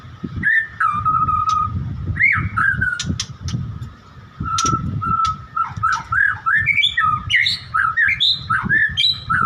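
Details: White-rumped shama singing: a long level whistle followed by varied rising and falling whistled phrases, sharp clicks and quick note bursts, with low rumbling background noise.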